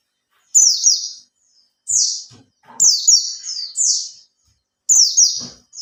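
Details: Lure song from a captive Oriental white-eye kept three months: high, sweet twittering phrases of fast descending notes, about four bursts in six seconds, separated by short gaps, faint clicks beneath.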